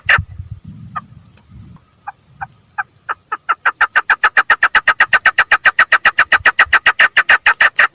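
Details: Female chukar partridge: a few hesitant separate notes after some low rumbling, then a loud, rapid, even series of harsh chuck notes accelerating and continuing to the end.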